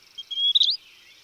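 Western Wood-Pewee giving a single nasal, slightly buzzy 'pier', a high note that swells, then bends briefly upward and drops away, under a second long.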